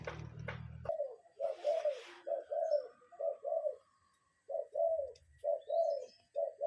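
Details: Repeated low hollow paired notes from a cuckoo, real bird recorded outdoors, the pairs coming about once a second after a burst of rustling and a faint high chirp.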